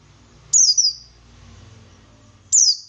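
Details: Buxtoni white-eye 'ngalas' song used to coax other white-eyes into replying. Two high, descending slurred phrases about two seconds apart over a steady low background hum.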